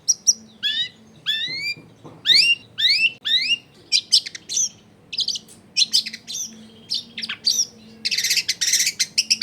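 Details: Shrike lure recording: a long-tailed shrike gives repeated upslurred whistled notes, then varied buzzy chattering phrases ending in a dense harsh rattle, with low household noise underneath.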